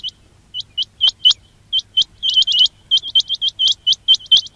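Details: Close quail calls made to lure birds when trapping: a dense stream of clipped, rising whistled notes, paired at first, then running together in quick clusters.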